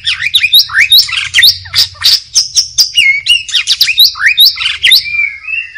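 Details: Wild white-rumped shama in forest pouring out a dense, continuous song of rapid rising and falling whistles, chips and scratchy notes in lively succession.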